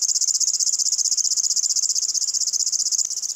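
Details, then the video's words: Cricket-like song of a river warbler (Locustella fluviatilis), which sings in the evening and early morning: a steady, high, rapid mechanical pulsing, roughly a dozen pulses per second, like a grasshopper's chirring, with one faint click near the end. "What bird chirps like a cricket and a grasshopper? (Locustella fluviatilis)"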